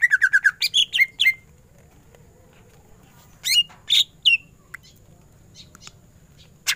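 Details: Energetic greater green leafbird song, ngentrok style, opening with a quick row of identical chirps, then looping whistles, a long quiet gap, and a few more sharp sweeping notes.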